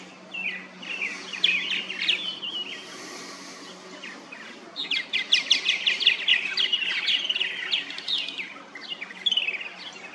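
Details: Purple martins chattering at a backyard colony of plastic gourd nest houses in St. Catharines, Ontario, Canada: quick runs of croaky chirps and liquid warbling notes, a brief quieter lull, then a busy burst of overlapping calls.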